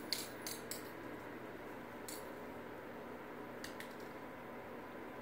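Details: Indoors, a quiet room carries a few sharp clicks and rattles from toys being played with, and no animal voices.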